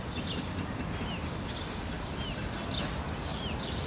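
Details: A juvenile shiny cowbird in an urban area of Campina Grande, Paraíba, Brazil gives thin, very high, downslurred whistles, three in four seconds, over steady low rumbling background noise.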